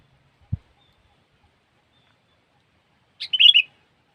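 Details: Sooty-headed bulbul, recorded as a trapping lure. After a soft low knock, one short bubbly whistled phrase comes near the end, with a sharp start and a quick warbling finish, against a silent background.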